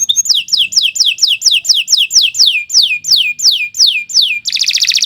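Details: Canary singing vigorously in a long song: a fast series of clear whistled notes sliding down steeply, several per second, then a sudden dense buzzy trill at the end.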